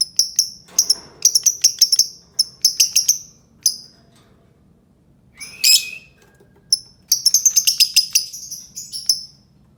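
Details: Albino lovebird calling in bursts of rapid, high-pitched chirps separated by short pauses, with one harsher rasping note midway and a faint low hum beneath.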